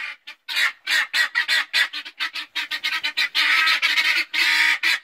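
A guinea fowl gives a fast run of harsh, rasping cackles, several notes each second.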